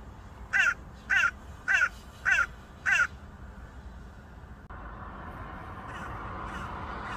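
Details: A hooded crow from a small crow family near a local airport in Norway, being fed bread, gives five harsh, hoarse caws about every half second, then falls silent; a steady broad background rumble follows.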